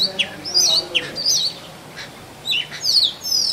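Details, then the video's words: A male Oriental magpie-robin sings in forest to attract a mate, giving a few separate looping whistled notes with pauses between, softer notes in the gaps. "Male Oriental Magpie Robin Singing"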